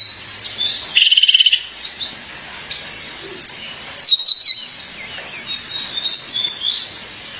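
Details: Female violaceous euphonia calling her mate: high, sharp descending chirps and a short buzzy trill near the start, with scattered thin notes through the rest.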